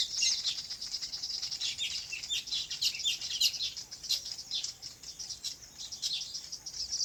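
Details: Birds chirping in their natural habitat on a farm: a dense chorus of high, thin twitters and tweets that overlap continuously throughout.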